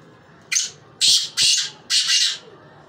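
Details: Black francolin calling in a quiet setting: four loud, harsh, rasping notes within about two seconds, one short note followed by three longer ones.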